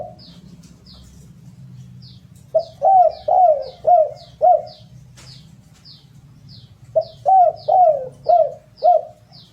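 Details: Spotted dove song used as a lure to encourage birds to sing: two series of five loud, low, looping coos several seconds apart, over a regular background of thin high descending chirps.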